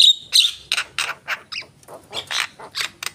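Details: Javan myna giving a thin whistle followed by a series of hoarse, grating squawks repeated roughly every third of a second.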